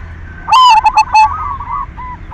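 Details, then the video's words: Silver zebra dove in lively song, used as a lure to make other doves sing: a loud, rich note followed by three quick clipped pulses, then a softer fluttering trill that fades away, with faint low hum behind. "Perkutut silver gacor SUARA PANCINGAN cocok buat merangsang BIRAHI BUNYI"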